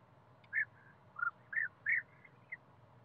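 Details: European bee-eater (Merops apiaster) calling in a forest: five short, liquid, slightly rolling calls, irregularly spaced over three seconds, over a faint low hum.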